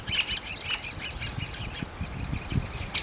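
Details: Great spotted woodpecker nestlings at a nest: rapid, uneven chatter of high, harsh squeaky calls, roughly two or three each second, with faint low thumps beneath.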